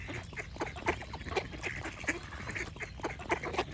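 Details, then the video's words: Several ducks quack in quick, uneven succession, about three or four calls a second, loud harsh notes rising above a background of flock chatter. "Relaxing Duck Quack Sound Effects"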